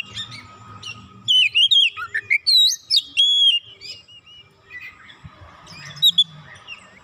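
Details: Provoked Oriental magpie-robin (kacer) pouring out its isian material: a rapid run of looping, bouncing whistles early on, then a hush with scattered faint notes and a final brief whistled burst over low rumbling.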